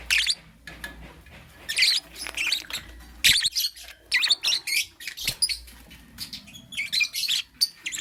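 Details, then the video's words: Morning chatter of a lovebird: strident, scratchy chirps and squeals in quick clusters, almost continuous, with brief pauses between the bursts. "Amazing Lovebird - Beautiful Colors - Chirping Sounds"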